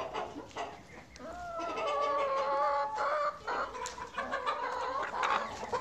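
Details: Farm chickens during a short tour: a drawn-out wavering cackling call over a background of noisy, overlapping clucks from many birds.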